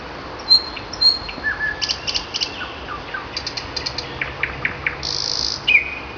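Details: Common nightingale song on a May morning: high thin whistles, a low slurred note, grouped clicking bursts in threes, spaced rising notes, a harsh buzzy burst, and a falling whistle.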